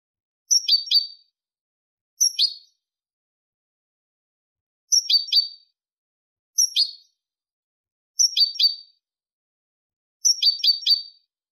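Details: European goldfinch singing in the clean 'limpio' song style, recorded in 2023: short, bright high twittering bursts repeated about every one and a half to two seconds, with silence between phrases.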